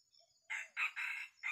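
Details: Red junglefowl rooster used as a decoy for trapping wild junglefowl in a small oil palm plantation in Sumatra crows a short, hoarse, broken phrase of four quick bursts over about a second, clipped at the end.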